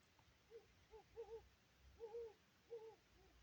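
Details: Owls hooting at 4am on October 19, 2024, as the moon cleared after several days of thick marine-layer fog: soft, low hoots in short clusters, about five notes over three seconds, some doubled, against quiet night.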